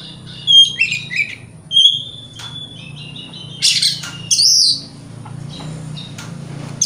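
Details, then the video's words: White-rumped shama song used to provoke other shamas into singing: scattered whistled notes and harsh buzzy bursts at irregular intervals over a steady low hum. "30 Menit Dengarkan Pancingan Kacer Ini - Kacer Jenis Apapun Gak Kuat Nahan Emosinya"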